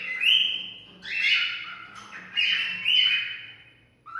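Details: Cockatiel song meant to stimulate mating: loud, sustained whistles held at one pitch, each swelling and then fading, broken by short pauses and ending on a lower note.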